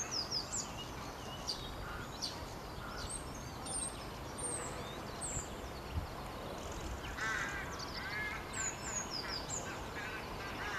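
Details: Singing common starling, Bishopbriggs Park, 9.3.20. Sliding high whistles, scratchy notes and a short rattling burst around the middle, delivered in a varied continuous stream over constant low background rumble.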